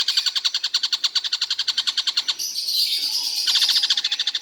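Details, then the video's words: Stork-billed Kingfisher calling all day without stopping: a fast run of harsh, ringing notes about three to four per second, briefly replaced by a smoother high rasping sound mid-way before the rapid notes resume. "Tengkek buto seharian bunyi tidak berhenti"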